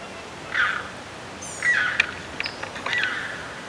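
Red-shouldered hawk giving three harsh, slightly downslurred notes about a second apart, with faint higher chirps and a soft background hiss.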